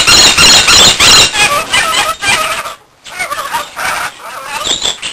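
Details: Rainbow lorikeet (Trichoglossus moluccanus), a pet male, gives harsh, grating screeches in quick bursts, about three a second, with a brief pause midway before the shrill chatter resumes.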